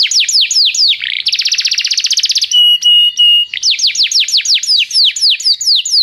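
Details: Canary training song: falling whistled notes, a dense buzzy trill, flat sustained piping tones, then more swooping descending whistles in quick succession.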